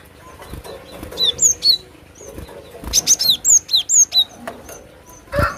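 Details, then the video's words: Cinereous tit: a short cluster of three high, downslurred whistles, then a longer sequence of about eight crisp repeated notes at a brisk, even pace. "SUARA ASLI BURUNG GLATIK BATU"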